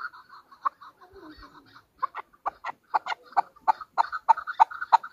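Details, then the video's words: Chukar partridge kept as a hunter bird in Pakistan, giving scattered soft clucks that tighten into a louder, regular string of chuck notes, roughly three per second. "chakor ki awaz | Hunter chukar voices | Hunter Chukar sound"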